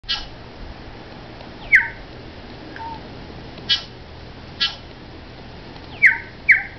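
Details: New Zealand bellbird male courting a female perched just above him out of view, Port Hills outside Christchurch, New Zealand, 14 Sept 2011: six short, clear, bell-like notes dropping in pitch, unevenly spaced over several seconds, quiet background.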